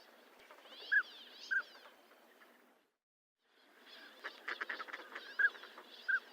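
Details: Northern pintail giving a couple of short whistles, then a brief silence, then more whistles amid busier background bird chatter and clicking.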